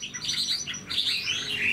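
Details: Short burst of song from a caged, moulting Chinese hwamei of wild origin with a prized voice: quick, rich warbled whistles rising and falling in rapid succession, with light background hiss.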